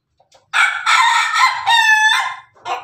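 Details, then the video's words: Pelung rooster crowing: one loud, harmonic crow lasting about two seconds, rising, then held with a wavering, laugh-like ending, after a soft cluck at the start. "pelung jago suara ayam jago ketawa"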